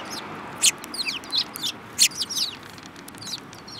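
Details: Eurasian tree sparrows, several birds including one with a yellow beak, 7 March 2018, chatter in busy overlapping chirps and twittering notes, with two loud sharp calls standing out.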